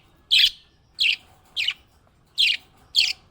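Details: Happy budgerigar chirping: five short, bright, scratchy chirps spaced roughly every half second, evenly loud against a quiet background.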